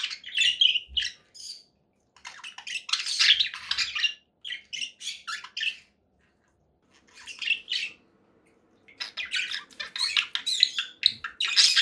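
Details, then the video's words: Harsh conure parakeet squawks in clustered bouts, loud raspy calls broken by a few seconds of near quiet before another noisy burst. "conure parakeet sounds"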